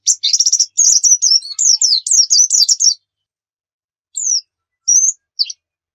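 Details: A pleci gives a rapid, buzzy, high twittering run for about three seconds. After a silence come three isolated thin chirps. Played to make caged birds sing.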